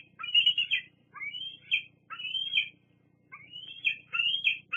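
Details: Bald eagle at Fraser Point, 8 August 2022, a young bird squeeing at other eagles flying in and out, including its mother: shrill, thin, wavering squeals in four stuttering bursts about a second apart, over a faint low hum.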